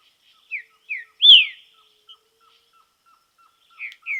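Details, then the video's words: Song of a green-winged saltator recorded in nature during training: two short slurred whistles then a strong descending note, a quiet gap with faint regular ticks, and two more downslurred whistles at the end. "TRINCA FERRO TREINAMENTO NA NATUREZA"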